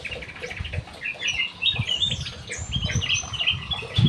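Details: Aviary-kept Black-headed bulbul in energetic song: fast chattering whistled phrases over a steady low rumble and thumping background noise.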